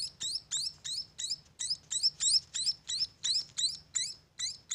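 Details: Munia chicks on a bird farm chirping in quick high squeaky notes, each rising sharply, about three a second, a little quieter with faint low background hum.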